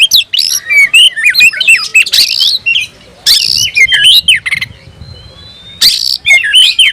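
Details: Kacer, the oriental magpie-robin, searching for a rival in full voice: clusters of twisting whistles and harsh rasps separated by short pauses, with one drawn-out high whistle in a quiet gap.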